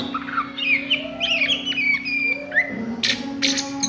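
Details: Oriental magpie-robin at midday in ngriwik style, giving a few looping whistled slurs and sweeps over a steady low hum, ending with two sharp broadband bursts.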